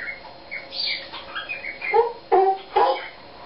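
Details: Pet eclectus parrot singing its own made-up songs indoors: a loose run of varied warbled and whistled notes, some rising and falling, ending in three louder, harsher, lower syllables.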